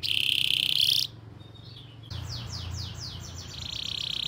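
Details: Canary song for training young birds: a loud steady high trill, a short pause, then a series of softer descending sweeps and a buzzy trill over low rumbling noise.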